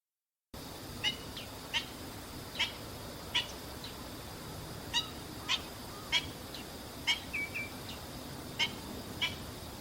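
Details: A Black-winged Stilt, recorded 12 September 2015 while foraging and feeding, gives sharp, high, yelping kek notes, about a dozen spaced irregularly over nine seconds, against a steady high insect-like hiss.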